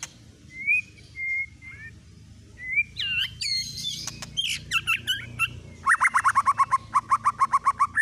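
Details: White-rumped shama singing a lure song to provoke other birds: slow clear whistles, then tumbling varied notes with clicks, finishing in a fast even series of about fifteen repeated chipping notes.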